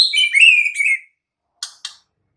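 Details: White-rumped shama from the wild singing a loud, rich warbled phrase with overtones, gently falling, then two short dry ticks after a pause.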